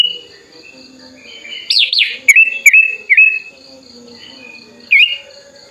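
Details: Sooty-headed bulbul, tame and hand-raised, summoning a rival with wings open; a wavering pair of loud swooping notes followed by three short slurred chirps, a pause, then one last chirp, over a quiet hum.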